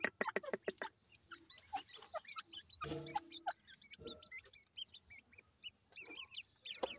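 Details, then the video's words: Quick clicks open this run of dakhni teetar, or grey francolin, chick calls. Next come thin zigzag chirps, a brief low buzzy sound, then more high twisting peeps. "grey francolin cute baby talk,dakhni teetar checks voice"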